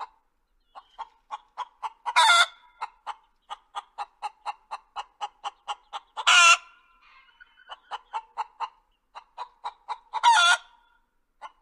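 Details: Chickens clucking: a steady run of short, soft clucks about three per second, broken every four seconds by a loud, harsh drawn-out squawk; quiet background.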